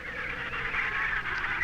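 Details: Emperor penguin chick in Antarctica, held while being fitted with a flipper band for study, gives a harsh, honking squawk that runs on without a break, over a man's calm spoken voice.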